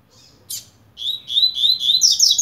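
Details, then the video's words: Double-collared seedeater of the blade song style, starting to warm up: one sharp note, a pause, then a run of buzzy slurred notes climbing into higher, brighter chirps. "COLEIRO BLADE COMEÇANDO ESQUENTAR"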